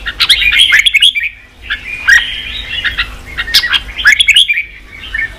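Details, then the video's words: Red-whiskered bulbul singing to excite wild-caught bulbuls to fight; three clustered bursts of rapid chirpy warbles with harsh edges, separated by brief lulls, low hum in the background. "Kích chào mào bổi đấu, luyện chào mào sổ giọng, kích chào mào căng lửa"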